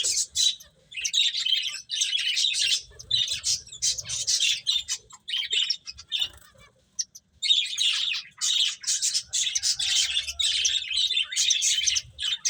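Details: Finches chirping while eating, many short high chirps in dense bursts with brief pauses, several birds calling together, soft low rustling underneath.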